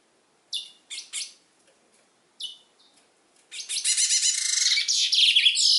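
A chestnut-bellied seed finch gives a few bright, high separate notes, then bursts into a long rapid warble of fast trills and sweet whistles.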